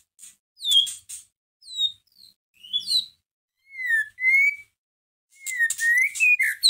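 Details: Caged white-rumped shama song used to provoke another shama into singing: sparse, clear whistled phrases, some sliding down and others rising, separated by short silences, with a few brief buzzy bursts.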